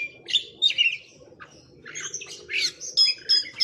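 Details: Oriental magpie-robin singing through its full repertoire of learned phrases: varied bright chirps, slurred whistles and buzzy notes jumping between high and very high pitches in quick bursts, with short pauses between phrases.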